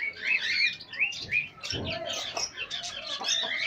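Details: Pet chicks meeting pet hens fill the air with dense, overlapping high cheeps, rising and falling sharply, nearly continuous, with a brief low thump partway through.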